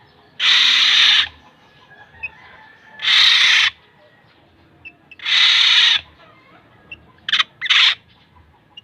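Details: Three long, harsh, nasal calls from a black-naped oriole (kilyawan), roughly two seconds apart, followed by two short clipped rasps close together.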